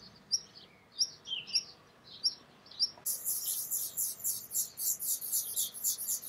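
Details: Black redstart watched up close in front of the camera: a few thin, high chirps spaced about half a second apart, then a sudden dense run of harsh, scratchy high bursts in a steady rapid series.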